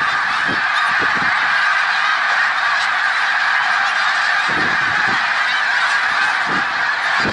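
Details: Loud, steady roar of a vast snow goose flock at Middle Creek Wildlife Refuge, Pennsylvania, March 1, 2021: high overlapping honks fuse into a constant din, with occasional short low thuds.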